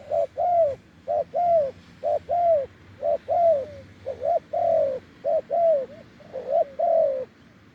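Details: Deep-voiced wild spotted dove at a decoy branch, cooing steadily in short-long note pairs, about one pair each second, mellow and slightly falling, with faint background noise.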